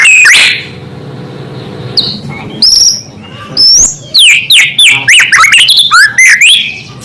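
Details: White-rumped shama singing its natural song, which provokes other shamas: opening loud note, a quiet stretch, then a fast series of short bright whistles and sweeping chirps growing busier toward the end, over a low hum.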